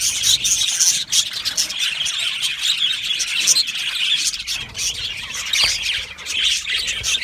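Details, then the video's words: Australian budgerigars in an aviary colony, a dense chorus of overlapping high chirps, squawks and warbled notes, continuous with no pauses, a few harsher squeals standing out. "Australian Budgie parrot chirping sounds"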